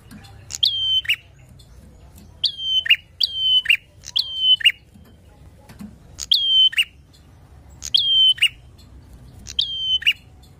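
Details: Bar-winged prinia singing loudly, a lure recording meant to provoke rival birds: seven high phrases, each a sharp upslurred note falling into a thin held whistle and ending in a buzzy burst, given in irregular bursts over quiet low hum.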